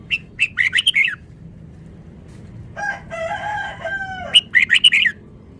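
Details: Fast trilling song of a caged red-whiskered bulbul from Vietnam: a rapid string of bright chirps, a sustained layered warble, then another quick chirp run.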